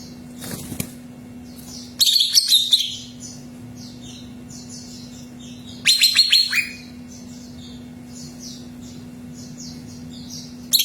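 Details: Greater green leafbird singing to get another bird singing: vigorous, buzzy bursts of high chattering notes at intervals of about four seconds, with softer twitters filling the gaps and a steady electrical hum.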